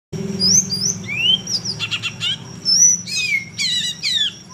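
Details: Songbird in a rough 'tembakan kasar' master song used to tutor competition songbirds: high slurred whistles rising and falling, then buzzy rattling bursts and dense chattering phrases, over a low steady hum.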